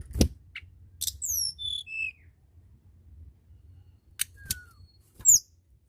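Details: Sparse song of a blood-breasted flowerpecker, meant to prompt reluctant tledekan: sharp clicks, a cascade of thin high whistles dropping step by step, then isolated ticks, a short falling whistle and a final high chirp.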